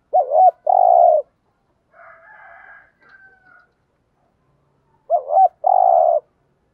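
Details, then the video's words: Spotted dove lure calling to provoke wild doves: two phrases of a wavering double coo and a long buzzy coo, about five seconds apart, with a few higher, scratchy calls from another bird between them. "chim cu gáy mồi thúc rút bổi gáy theo rất cao"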